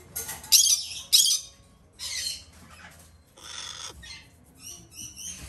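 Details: Two hand-fed red-shouldered macaw chicks, female, bred in Japan and kept indoors; harsh raspy squawks in short bursts, two loud ones close together, then softer scratchy calls and a few thin higher notes.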